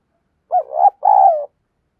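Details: Caged decoy spotted dove giving an urging coo to draw in wild doves: two deep, mellow phrases in quick succession, the first rising in a short break, the second a long, even hoot.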